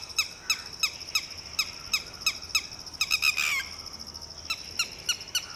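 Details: Mother red-wattled lapwing protecting her newly hatched chick while a Shikra swoops; evenly spaced, clipped downslurred notes, broken by a fast cluster and a loud rasping cry, then the spaced notes resume.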